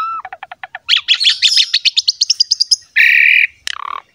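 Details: Captive Asian pied starling in full song, used as a master recording to prompt quiet birds to sing: rapid run of repeated sharp notes, then a harsh buzzy burst and a descending slurred whistle.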